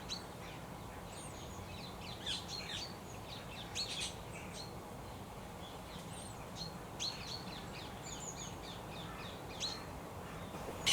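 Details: Introduced ring-necked parakeets, a large flock feeding on a sunflower wildlife boundary crop by woods in southeast England on a sunny autumn morning, give harsh, squawky high calls in scattered bursts every second or two over a steady rumble.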